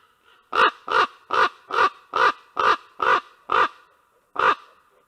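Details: At a nest in Karula, Estonia, on 19 August 2023, ravens exchange calls. Eight loud, rough, honking croaks come in a steady run about two per second, then a pause and one final croak.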